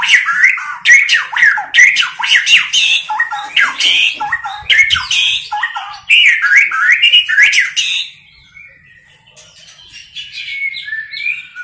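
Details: White-rumped shama female voice of the tạch líu type, played to rouse males for fighting: dense harsh chattering notes repeated rapidly for eight seconds, then fading to a few faint high whistles.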